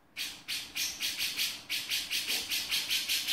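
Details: Short run of grating, buzzy notes from a male grey-cheeked bulbul, a dozen evenly spaced rasps in about three seconds, the 'beset' call.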